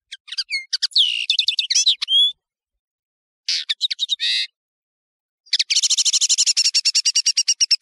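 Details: European serin singing on a clear tutor tape for teaching birds: tinkling high jingle with a sliding whistle, a pause, a brief buzzy phrase, then a rapid, even, high-pitched trill to the end.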